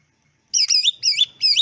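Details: Greater green leafbird (cucak ijo) singing a clear tutor song meant to prompt other leafbirds to answer and sing: three quick phrases of bright, looping whistled notes, each about a quarter-second, in near silence.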